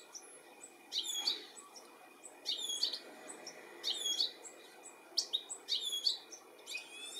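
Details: A European goldfinch in the UK calls as it searches for its young, 13 July 2017; bright high chirps in repeated bursts roughly every one to one and a half seconds, each a rapid cluster of sharp notes.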